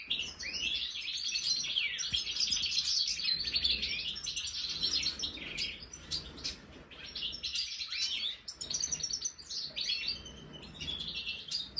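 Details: Captive European goldfinches (major form) in an aviary, trying a marigold snack, give a fast, tinkling, twittering song of liquid trills and buzzy notes, high and nearly continuous, with several birds chattering together.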